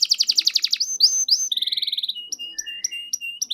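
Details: Lively canary song to draw out silent canaries: a quick run of sharp sweeping chips, brief rising whistles, a fast buzzy roll, then spaced short flat whistled notes.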